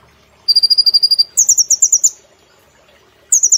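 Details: Brown-throated sunbird kept as a cage bird, singing energetically in rapid 'nembak' bursts. A steady high rattle gives way to a higher, choppier trill. After a pause another burst begins.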